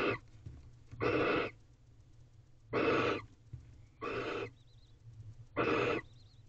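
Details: Wild male barn owl meeting his first owlet at a nest box, 4 April 2023, 5:07 am: harsh, breathy hissing bursts of about half a second, repeated roughly every one to one and a half seconds, with faint thin squeaks between.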